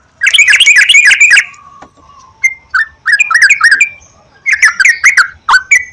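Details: Sooty-headed bulbul song used as a lure to prompt singing: fast burst of bubbly whistled notes, a pause, then scattered chirps and another lively phrase ending in a drawn whistle.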